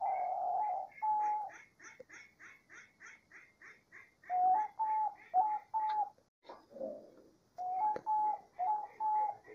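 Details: A Diamond dove singing a lot: soft, mellow, low hollow coos in several quick runs with brief pauses, and quieter faint coos filling the gaps.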